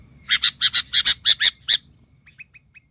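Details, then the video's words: Worked-up Sooty-headed bulbul (kutilang) used to lure wild birds: eight loud, harsh, rasping notes in quick even succession, then a few faint, short chirps trailing off. "GAHAR!!! ketika pikat burung kutilang ngamuk...kutilang liar cuma bisa melongo"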